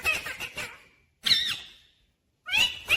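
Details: Rose-ringed parakeet, a pet talking bird said to say 'mummy papa', gives three short bursts of shrill, scratchy, high squeaks, each fading out, separated by about a second of silence.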